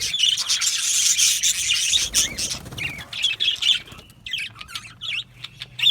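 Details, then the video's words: Yellow male budgerigars in an aviary colony, loud dense chatter for two seconds, then scattered squawks and rising chirps separated by short pauses, with a soft low rumble underneath. "Beautiful Yellow Male Budgies Birds Chirping sounds"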